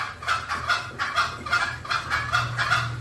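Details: Green junglefowl lure calls meant to attract wild birds: evenly paced, soft, throaty clucks, roughly two and a half per second, throughout.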